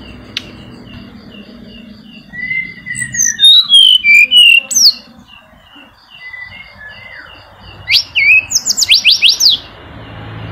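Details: Mountain flycatcher (tledekan gunung), likely a male, sings bright, varied phrases of slurred descending whistles and quick high chattering notes, used as a lure to prompt silent birds; a faint steady high hum runs underneath.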